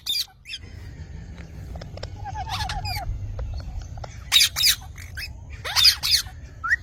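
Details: Green parrot calling: harsh broadband squawks in short clusters, with a few higher chattering notes between them, over a steady low rumble of background noise.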